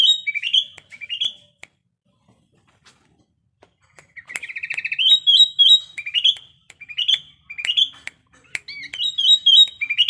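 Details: Sooty-headed bulbul in breeding condition giving bubbly, whistled song phrases. Short bursts come at the start, then a pause, then quick repeated phrases of a few notes each.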